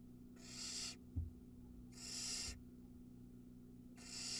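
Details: Begging barn owl chick on a nest cam in Ram-on, Israel, during a mouse feeding: rasping hiss-screeches repeated roughly every one and a half seconds, with a soft thump between and constant low hum.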